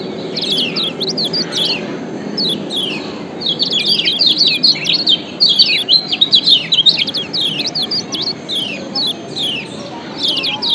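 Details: Lombok yellow white-eye (Zosterops) song: rapid, high, thin chirps and downslurred twitters, tumbling over each other in near-continuous bursts, with a faint low hum beneath.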